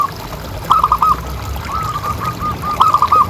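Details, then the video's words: Local zebra dove, played to get other doves calling, giving two short bursts of quick, bright cooing notes with a softer drawn-out coo between them. "Suara Paling Ampuh Untuk Pancingan Burung Perkutut Agar Bunyi Terus"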